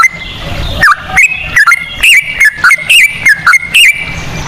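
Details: Sooty-headed bulbul singing a lure phrase in cucak rowo style: bubbly whistled notes that drop and climb, in short bursts roughly once a second.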